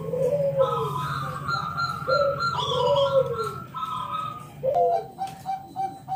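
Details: Loud local wild zebra dove singing in the ngalun kung bulat style, used to lure other doves into singing. Soft, rounded, arching coos rise and fall, overlapped by higher tonal notes, with a low background hum.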